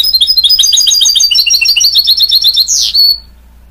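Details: Goldfinch mule, a goldfinch and canary hybrid, sings a fast run of bright twittering notes in high repeated trills, ending with a sharp rising sweep before falling quiet.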